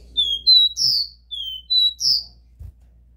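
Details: Copper seedeater in the pure 'Dó Ré Mi' song style, played to stimulate a captive bird: a phrase of two whistles and a buzzy note given twice in quick succession, then a soft thud, over low hum.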